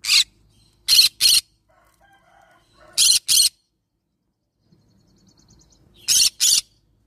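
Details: Green-cheeked conure of the yellow-sided variety squawking in harsh, grating pairs, doubled bursts repeating every two to three seconds, with faint household hum in the pauses.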